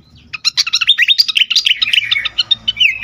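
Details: Agitated fantail pouring out a loud, fast, jumbled string of squeaky whistles and chips, barely pausing, the notes jumping up and down in pitch for about three seconds.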